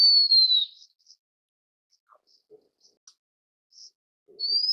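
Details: Blue-winged minla (Actinodura cyanouroptera), call.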